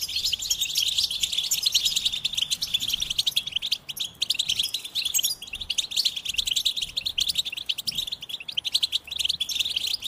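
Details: Continuous goldfinch twittering, packed with quick high chips and buzzy trills that barely pause, with one brief break near the middle.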